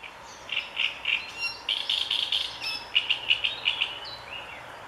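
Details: Marsh warbler song: a varied chattering run of short bright notes, repeated chips and buzzy phrases, brisk and irregular, with a rushed middle section and a soft upward note near the end.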